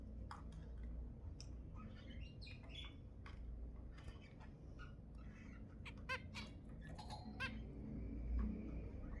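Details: Scattered short, nasal, beep-like calls of zebra finches, sounds said to stimulate mating, spaced irregularly with quick clustered pairs near the end over a low background rumble.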